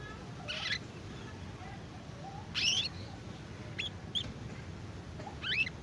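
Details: Young AF canary practising its ngeriwik twitter: sparse, quiet high chirps and brief squeaky bursts separated by pauses, against a low steady background noise.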